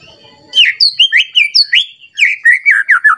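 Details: White-rumped shama roused to sing against a rival: after a quiet start, a string of loud, clear whistled notes with sharp up-and-down slurs, delivered about three per second.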